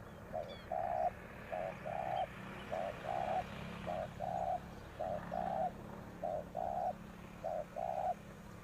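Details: Spotted dove kept as a decoy to attract wild doves, repeating gentle low coo pairs, short then longer, about seven times at an even pace, with a faint distant chirp and low background noise.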